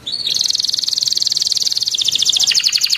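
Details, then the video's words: Singing canary delivering a long roll ('ngeroll panjang') with dense rapid bursts: an unbroken, very fast high trill of evenly pulsed notes lasting nearly three seconds, strong and clear against a quiet background. "KENARI GACOR NGEROLL PANJANG TEMBAKAN RAPAT"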